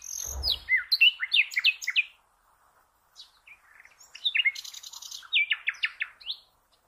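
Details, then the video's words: Common nightingale song of quick descending whistled notes repeated in a rapid series. After a brief quiet spell come scattered chirps, a burst of high buzzy notes and another run of repeated falling notes. A low thump sounds near the start. "The Best NIGHTINGALE Song"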